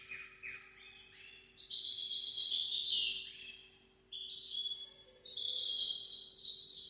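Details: Goldfinch-canary hybrid of the Maestro type, song for training goldfinches and canaries: a run of slurred descending notes, then loud, rolling high trills broken by a short pause and resuming with bright, rapid warbled phrases.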